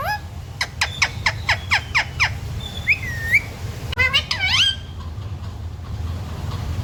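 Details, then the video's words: Talking parrot said to utter "mummy papa" and "sita ram": about seven quick, evenly spaced sharp notes, then a drawn-out whistled slur and a few harmonic speech-like syllables, before fading to quiet background hum. "बोलने वाला प्यारा तोता 💖 parrot talking mummy papa 🥰 parrot talking sita ram"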